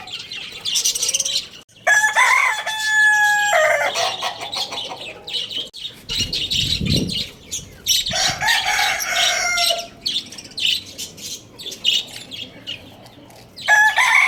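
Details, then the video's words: Rooster at a bird market. A strong level crow of under two seconds, then a quieter, longer crow a few seconds later. Busy small-bird chirping, a burst of wing flapping and the start of another crow are also heard. "Rooster Crowing Sound Effect | cute rooster crowing loudly"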